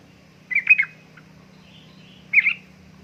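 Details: Female yellow-vented bulbul, said to be in breeding condition and calling a male, used as a lure recording; two short bursts of bubbly, chattering notes about two seconds apart, with a faint low hum beneath.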